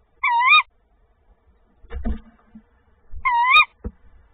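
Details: Tawny owl bringing a second prey item to its nest, 25/02/2024: two quivering, wavy-pitched calls roughly three seconds apart, separated by low thumps and scratchy movement noises.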